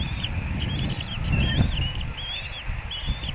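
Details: Adult female eagle at a nest in a Surrey reserve, 4 April 2021 at 2:42 p.m., standing and calling out beside a one-day-old hatchling and a pipping egg before feeding fish; thin, wavering high chirps repeat over a heavy low rumble of wind.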